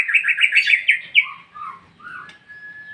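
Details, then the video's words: Ngeplong-ngeplong song of a white-rumped shama, used to make other birds reply: a fast series of about six bright repeated chirping notes, then lower slurred whistles and a final long, level whistled tone. "MURAI BATU NGEPLONG-NGEPLONG Burung anda pin ikut nyaut"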